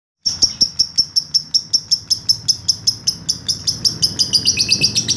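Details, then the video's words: Lovebird giving a long 'ngekek' trill used as a master recording for training other birds: a rapid series of sharp high chirps, about three per second, steady then speeding slightly and dropping in pitch toward the end. "masteran lovebird ngekek panjang"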